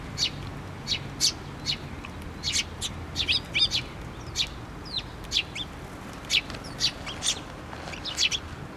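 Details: Busy chirping from sparrows gathering at a feeder on a post, Tenmangu shrine, 24 June 2023: a steady stream of short high tweets, several birds overlapping, with occasional slurred notes.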